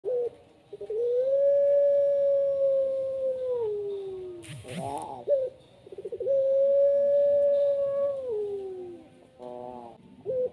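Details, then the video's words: Puter pelung dove with a famously long, goosebump-raising voice: two drawn-out, steady tonal notes of about three seconds each, ending in a falling slur, with short stuttering pulsed notes between them and a brief noise burst. "puter pelung suara panjangnya bikin merinding"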